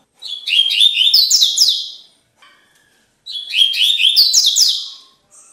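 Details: Lined seedeater singing the tui tui song used in bird training: two bursts of rapid high twittering and trilled notes about two seconds long, separated by a short pause.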